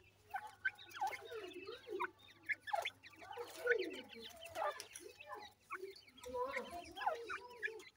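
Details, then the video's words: Grey francolin (teetar) chicks, shown feeding, give a busy stream of short, high chirps, many sliding downward, overlapping one another, with soft low clucks throughout and brief pauses between bursts. "teetar chicks sound,Gray Francolinus bird"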